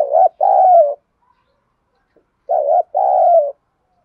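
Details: Two cooing phrases from a spotted dove decoy bird of the 'giọng đồng' voice, giving calling coos. Each phrase is a brief wavering note and then a longer, slightly falling coo, spaced about two and a half seconds apart.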